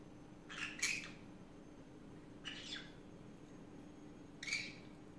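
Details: Pet green-cheeked conure chattering in the afternoon: three short scratchy squawking bursts about two seconds apart against a quiet indoor hum.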